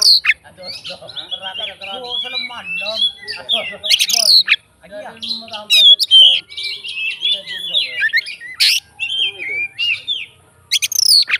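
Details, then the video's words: Fighting oriental magpie-robin in long provoking song: dense chatter of whistled slurs, harsh scratchy bursts and squawky notes, fast and continuous with brief pauses. "BUNYI BURUNG KACER FIGTER, FULL ISIAN KACER LAIN LANGSUNG ON"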